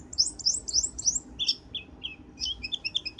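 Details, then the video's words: Black-winged starling trapping lure call: four squeaky, twisting high notes, then lower chirps and a fast jumble of short tweets, with a steady background hiss. "Suara pikat burung cucak Keling"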